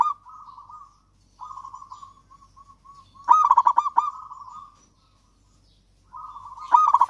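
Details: Perkutut, the local Javanese zebra dove, in lure song for doves that will not sing: gentle trills broken by short pauses, a loud run of quick staccato coos mid-clip, a silence, then trilling that rises into another loud burst.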